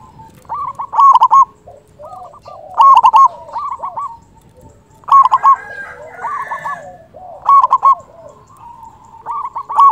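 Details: Loud local zebra dove, a lure for trapping and for stirring quiet doves into singing; clipped rolling coo phrases recur about every two seconds, with fainter doves cooing in between.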